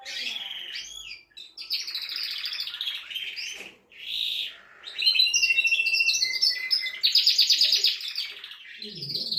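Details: Canary song intended to excite a female to mate: rolling high trills and whistles, a short pause, then a loud, dense, rapid rattling trill to the end.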